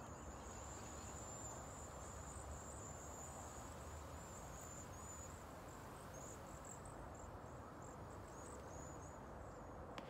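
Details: Cedar waxwings migrating through San Antonio, Texas, just before a freeze; thin, very high, lisping notes run on almost without a break, many overlapping, over a steady low rumble of background noise.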